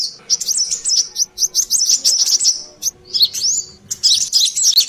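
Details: Brown-throated sunbird in a lure recording of a restless bird: quick strings of thin, high chirps, a pause near the middle, then louder, sweeping squeaks.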